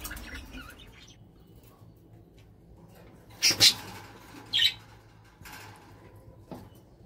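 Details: Kakariki giving two short, harsh, high-pitched squawks in quick succession midway, set against a quiet, low indoor hum.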